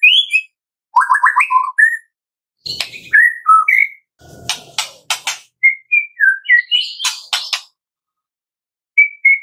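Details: White-rumped shama song, played from morning to afternoon to prompt captive shamas to sing: varied rich whistled phrases that rise and fall, mixed with sharp buzzy clicks and rattles, in bursts separated by brief silences, over a quiet background.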